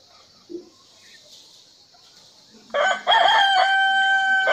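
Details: Rooster crowing: after near-silence with one brief soft sound, a loud, rich crow begins near the end, steady and harmonic with a short dip at the start.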